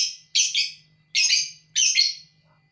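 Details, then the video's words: Lovebird, ngekek song style. Harsh, squawky double chirps come in quick succession, with a faint low hum behind them. "burung love birth mu bakal ngekek abisss"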